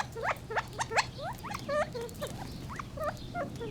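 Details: Gambel's quail giving loud rising notes at first, then softer hooked and clucking calls, irregularly spaced, with a faint low hum.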